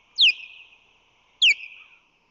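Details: At a San Francisco Bay osprey nest in March 2020, with the male bringing fish and rushing to defend the nest, two piercing calls sweep downward and fade into a long steady whistle.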